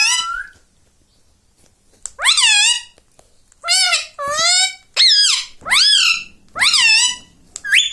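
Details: Pet rose-ringed parakeet, a ringneck parrot, talking; its attempts at words such as 'mummy' and 'mithu' come as a series of loud, nasal, harmonic bursts, each bending down then up, with short gaps between.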